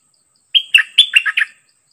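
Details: Dok Taeng bird in a decoy setup with a very aggressive wild-caught bird sings one loud second-long phrase of about six bright notes. It starts with a ringing whistle and continues as warbled chirps falling and rising.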